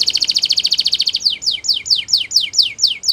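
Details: Belgian canary song used in canary training: a rapid high trill first, then a run of separate clear notes sliding sharply downward, repeated about every third of a second.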